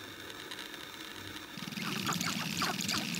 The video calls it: Sharp-tailed Grouse Courtship Display